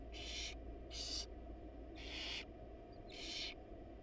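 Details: Male barn owl, wild, delivering a rat to a research nest box while the female is absent. Four rasping, breathy screeches come about once a second above constant low-frequency hum.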